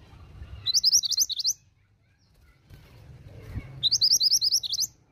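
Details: Pied bushchat female giving calls meant to get males to answer: two bursts of rapid, high, rising chip notes, six to eight each, separated by about two seconds of low rumble.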